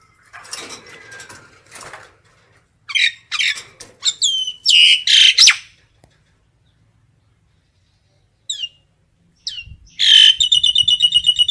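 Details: Common myna calling the flock: scratchy chatter building into loud harsh squawks and downslurred notes, a pause, then a fast, even, bubbling trill of repeated whistled notes.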